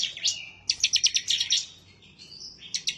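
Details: Excited bar-winged prinia (ciblek) song, bold and insistent while seeking an opponent; a brief high trill and slurred whistle, then a rapid burst of sharp repeated chips, a drawn whistle and another chip series.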